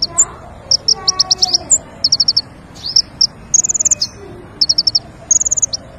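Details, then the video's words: Lure song of the king konin for bird trapping: high, clipped chirps grouped into fast runs of four or five, with a few longer buzzy trills and lone sharp notes, over a low background hum. "PIKAT KING KONIN SUARA PANCINGAN"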